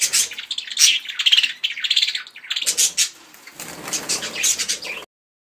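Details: Budgerigars during mating, kept indoors: busy high chirping and chattering with scratchy warbled notes, bursts running almost continuously for five seconds.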